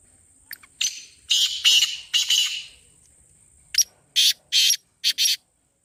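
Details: Black francolin calling, a recording meant to draw birds in or set a kept francolin calling. A smeared, echoing run of rasping notes comes first. After a pause, a crisp phrase of five harsh buzzy notes follows in quick succession.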